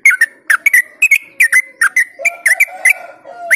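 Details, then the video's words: Yellow-vented bulbul delivering fast ropel song to lure and excite other bulbuls: tightly packed paired chirps, bubbling and insistent, with a soft lower whistling voice behind the later notes. "Trucuk Ropel Joss Buat Pancingan Burung Yang Jarang Ropel Dijamin Gacor Dor"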